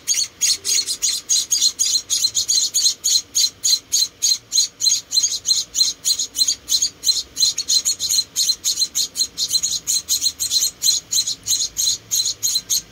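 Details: Rescued munia nestlings, four of them, calling while being fed: a long run of sharp, high, hissing chirps, evenly paced at roughly three to four per second without pause.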